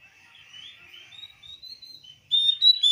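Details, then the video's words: A Javan grey-throated white-eye calls to a rival: soft sliding whistles that wander up and down, then a sudden bright string of sharp high chirps. "suara burung opior memanggil lawan"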